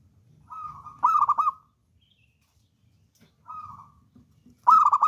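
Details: Zebra dove of local wild stock, called a bold, steady singer, cooing clearly: a soft rolling coo followed by a louder, quick, stuttering run of cooing notes, the pattern repeating after a silent pause.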